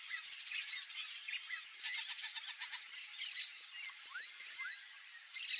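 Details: A wild pair of Yellow-rumped Marshbirds, Chupim-do-brejo, free-ranging in a Brazilian marsh: dense high chattering and clicking notes, quick rising whistled slurs near the end, busy overlapping calls throughout.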